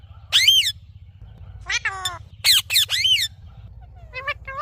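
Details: Green parrot giving a few loud harmonic calls, each arching up then down, spaced with short gaps and some quieter chatter near the end; low steady hum underneath.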